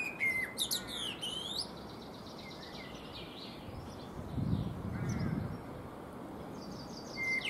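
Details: Singing Eurasian blackbird perched on a fruit tree while preening: an opening high, scratchy twittered flourish after a short fluted note, then sparse soft whistles and a low rumble of background noise.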